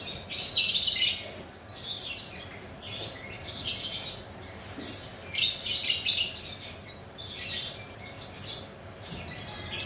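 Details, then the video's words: Lovebird perched and relaxed, chattering in the ngekek style: bursts of dense, high, raspy chatter in clusters of about a second, rising and falling in loudness, with a faint steady hum behind. "Suara Burung Lovebird Gacor Ngekek Mantab"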